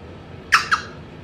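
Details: A pet African grey parrot wanting a kiss makes two quick, sharp smacking kiss sounds a fraction of a second apart, then falls quiet in a still room.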